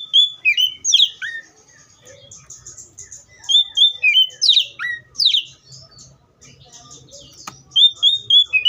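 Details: Oriental magpie-robin in varied song, bright whistled notes and steep downward slurs mixed with softer chattering between loud phrases, a faint low hum underneath.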